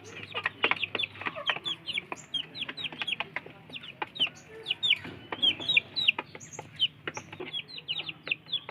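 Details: A group of free-range village chicks squabbling over food, calling constantly in high, falling peeps, often two or three in quick succession, over a steady patter of clicks, likely pecking.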